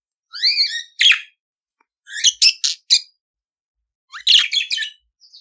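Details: Budgerigar song meant for training other budgies: rising whistled notes in a short group, then clusters of grating chirps and clicks separated by pauses of about a second.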